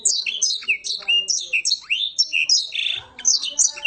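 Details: A black-throated canary sings a short, fast, unbroken run of high, sweet chirps, slurred whistles and buzzy trills, in 'garuda' and rolling song styles, changing phrases every fraction of a second.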